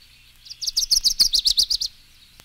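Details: Dickcissel song from a collection of eastern North American birds: a fast run of about a dozen high sharp notes, a few separate chirps opening into a rhythmic string of buzzy repeated notes lasting just over a second, with quiet background.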